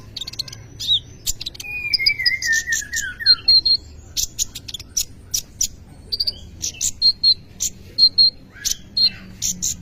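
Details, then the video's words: Brown-throated sunbird in full isian song, opening with a long whistled note sliding steadily downward, then short bright notes repeated roughly every half second alongside dry, high clicks. "Kolibri ninja full isian"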